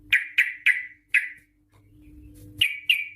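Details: Sooty-headed bulbul song used to lure other bulbuls into singing: four spaced, sharp downslurred notes, a pause with faint hum, then two more bright notes.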